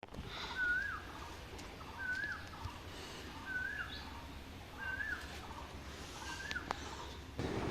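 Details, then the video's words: An Asian koel repeats a short, rising whistled note about every second and a half on a hot, fully overcast spring Friday morning, over a steady low rumble of background noise. "কোকিলের মিষ্টি মধুর ডাকে শুভ সকাল বন্ধুরা কেমন আছো সবাই"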